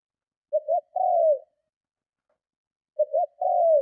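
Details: A spotted dove coos strongly to entice and provoke other doves, two phrases about two and a half seconds apart, each two short notes leading into a longer descending coo; quiet background.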